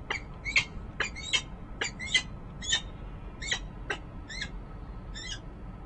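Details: Peregrine falcon at a nest ledge on the Rachel Carson building, Harrisburg, Pennsylvania, 19 January 2013, believed to be the resident female, possibly calling to a male off camera: a dozen short, harsh, grating notes over six seconds, some doubled and unevenly spaced, over a low hum.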